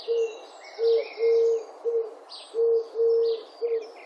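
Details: Low, even purring coos of European turtle doves, recorded in Wittlich in 2017, come in groups of three with a longer middle note, while faint higher bird calls sound in the background.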